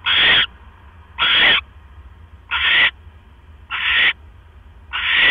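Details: Owl at its nest, October 12, 2015, 9:40 PM, as a mouse arrives; five harsh, broadband hissing calls, short and abrupt, come at slightly uneven intervals of about a second, over a dull low hum.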